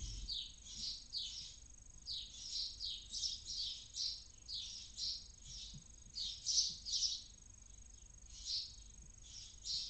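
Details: Inside a barn owl nest in Cabañeros National Park, Spain, at first light, where one chick is falling asleep: repeated raspy, hissing bursts come in quick irregular runs with short pauses, over a faint low hum.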